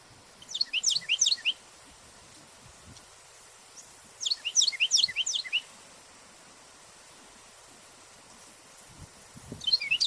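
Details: A Carolina wren calling from the top of a tree on a park hiking trail in Ontario, Canada, gives bursts of rapid high chirping notes about a second long every four seconds or so; another wren likely answers farther away.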